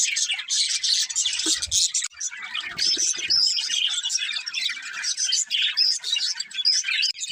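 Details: Cheerful parakeets at play, producing a thick chorus of high, chattering chirps and thin whistled notes, with faint low knocks in the first half.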